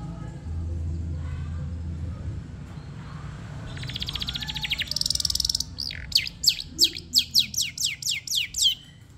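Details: Madura long-tailed shrike in training to sing, its varied song ending in a run of about ten sharp, high, falling notes repeated quickly, after softer buzzy and rattling phrases over low background hum.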